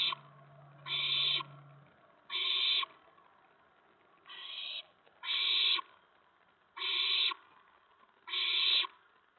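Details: Around 8 PM on April 19, 2017, at a nest where adult owls bring food to the owlets: seven rasping hiss bursts, spaced about a second or more apart, with a low hum at the start.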